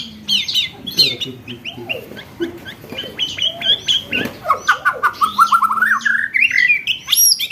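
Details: Murai batu, the white-rumped shama, singing a 'roll tembakan' training phrase for contest birds: scattered chips and clicks, then a fast, steadily rising run of short repeated whistled notes.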